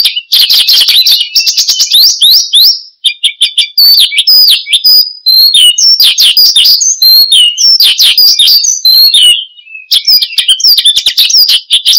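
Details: Branjangan, the Australasian bushlark, in vigorous 'gacor' song used to lure and tutor cage birds: a fast buzzy chatter opening into varied whistles and twitters, with brief pauses near three and ten seconds.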